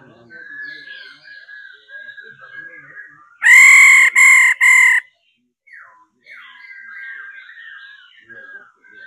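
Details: Female laughingthrush call used to stimulate males to sing: a burst of three loud, rasping, nasal notes amid a steady background of softer wavering whistles from other birds.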